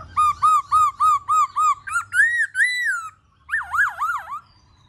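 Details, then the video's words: Black-throated laughingthrush in song-and-dance display: six clear, evenly spaced whistles, then rising slurred notes and a long wavering warble, over quiet surroundings. "KHƯỚU BẠC MÁ HÓT MÚA HAY"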